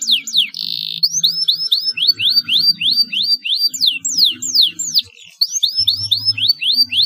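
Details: Energetic canary singing, recorded to encourage caged canaries to sing: a long series of clear descending whistled notes, about three per second, with a brief buzzy trill and faint low background rumble.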